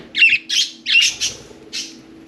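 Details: Four pet budgerigars playing and talking inside and on top of their cage; a rapid string of five loud, harsh, buzzy squawks, fading slightly toward the end, over a quiet low hum.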